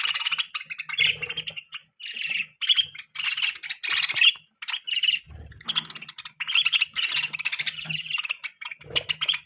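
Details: Pet budgerigars chirping steadily, giving rapid, scratchy, buzzy warbles and squeaky notes in short bursts with tiny gaps, plus a few faint low thumps in the background.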